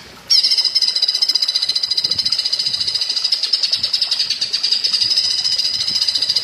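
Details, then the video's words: Greater green leafbird (cucak ijo), platuk bawang-style masteran recording. A sudden start leads into a continuous, rapid, high-pitched pulsing rattle that holds steady for six seconds. "Masteran cucak ijo rasa platuk bawang"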